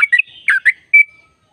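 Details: Sooty-headed bulbul song, played to make other sooty-headed bulbuls sing eagerly. A few quick, slurred, bubbly notes, then one clear whistle that trails off. No other sounds.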